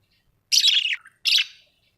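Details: Two loud, scratchy squawks from a domestic budgerigar, the first longer and dropping in pitch, the second shorter, about three quarters of a second apart.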